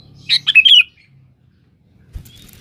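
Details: Sooty-headed bulbul singing to challenge a rival, meant as a lure: a single quick phrase of bubbly, warbled notes, then quiet and a soft knock.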